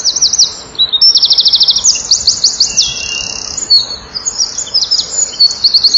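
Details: A male Eurasian wren at a nest-wall camera at 16:57 on 7 June 2012 sings loudly to nearby females: a very high, rapid song of fast trills and sharp notes, running almost without pause for six seconds.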